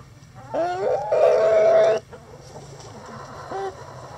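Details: Rooster crowing in a coop among chickens scratching: a loud drawn-out harmonic call lasting about a second and a half, followed by a short quieter call; low background rumble.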